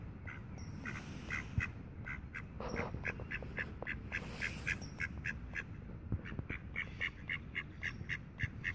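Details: Tame mallards in Friedrich Ebert Park, Ludwigshafen am Rhein, give a fast run of short, nasal quacking notes, about four a second, over a steady low rumble of wind or distant traffic.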